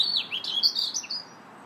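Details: Robin in a park on March 2nd, singing a rapid, jumbled run of high warbled and twittering notes that dips and rises in pitch before falling quiet.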